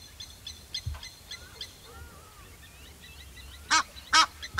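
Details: Egyptian goose with three loud, rasping honks closing the recording, preceded by faint whistled and chirping notes from other birds.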